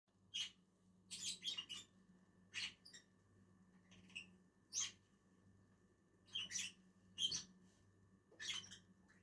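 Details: Two lovebirds eating on a tree give short, sharp high chirps in irregular bursts, a few per second, over a faint low steady hum.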